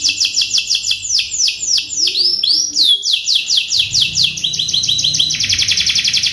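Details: Caged-style tutor song of a canary, used to get stalled canaries singing: high descending slurred notes repeated about three per second, then shifting into faster clipped phrases and ending in a very rapid buzzy trill.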